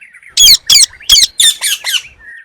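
A parrot gives six harsh, grating squawks in quick succession, about three a second, loud and high-pitched, with nothing else heard.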